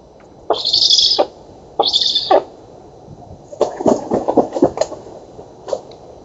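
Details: Black stork nestlings begging at feeding time at an oak nest in Poland, 11 August 2017, via nest camera. Two harsh hissing wheezes, then a scrappy run of short clicking and rasping notes.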